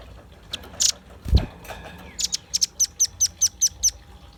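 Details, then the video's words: Velvet-fronted nuthatch singing, used to lure birds: mixed chips and a low thump, then a tight run of piercing, very high notes repeated about every fifth of a second. "Suara kicau pancingan burung rambatan paruh merah gacor"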